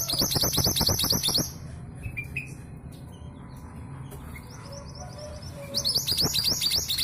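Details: Female long-tailed sibia from East Java, used as a lure for males, sings two bursts of rapid, shrill, chattering notes in fast succession. A quieter pause with faint distant bird notes falls between them.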